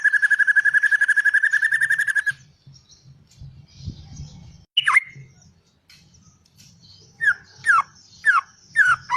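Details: Song of a white-rumped shama: a sustained rapid trill, a pause with low background noise, then a series of slurred downward whistles repeated roughly every half second.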